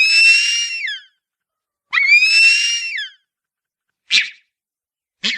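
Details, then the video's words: Harpy eagle gives two long, high, thin wailing screams that trail down at the end, followed by two short, sharp, clipped calls. "Piado "Canto"da Harpia - Gavião Real"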